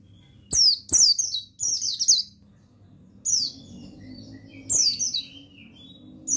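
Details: Male mountain white-eye of the buxtoni form, kept as a songbird and used as a training recording to get other birds singing: high twittering phrases sliding downward, repeated in short bursts every second or so, over a faint low hum.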